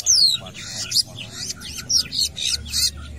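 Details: A long-tailed shrike sings actively at a football field, mixing a falling whistled slur with rasping, scratchy high notes in short uneven bursts, with low rumbling in the background.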